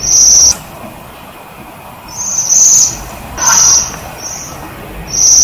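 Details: Waxwing in a privet bush gives high, silvery, buzzing trills, each about half a second, four or five in quick irregular succession, with faint low background hum.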